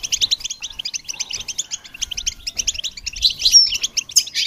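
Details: Goldfinch song meant to stimulate and train songbirds: bursts of quick high chirps in clusters with brief gaps, growing louder and fuller near the end with a thin whistled note.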